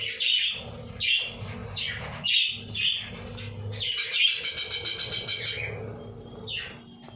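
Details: Budgerigars in a breeding colony of about 50 pairs chirp in a busy flock, with sharp high notes and a fast run of rattling pulses.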